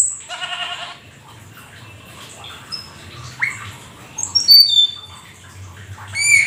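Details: Black-winged starling in full mimicry-laden 'gacor full isian' song, a rare exotic bird: an opening harsh stacked rasp, a quiet stretch with scattered soft notes, then piercing high whistles and slurred squeaks toward the end.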